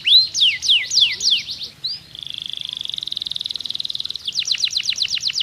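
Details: Canary of the pocong type singing loudly and clearly, used to prompt silent canaries to sing: fast, high, sweeping downward whistles, then a long buzzy rattle of rapid repeated notes, then more sweeping whistled notes.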